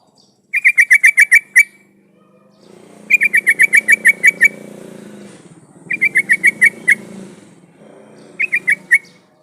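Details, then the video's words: Energetic yellow-vented bulbul song meant to draw other bulbuls into singing: four runs of rapid, bubbling notes, up to nine per run, separated by pauses of about a second, over a steady low rumble. "suara pancingan trucukan gacor jadikan burung trucukan nyaut dan bunyi"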